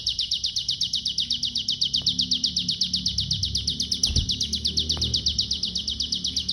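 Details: Pygmy bushtit song described as an unusual short-circuit style; a long, fast, steady trill of very high, sharp, evenly spaced notes with low rumbling background and a couple of clicks.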